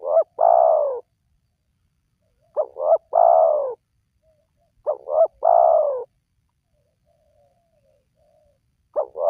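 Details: Spotted dove, its call played to draw wild doves into calling: repeated three-part phrases of two quick coos and a drawn-out falling coo, roughly every two and a half seconds, with a quiet background.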